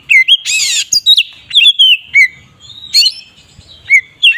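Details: Oriental magpie-robin singing in the "ngeplong" style, used to provoke other magpie-robins: loud clear whistles, slurred up and down, broken by a harsh buzzy rasp near the start and another near the end, with short gaps between phrases.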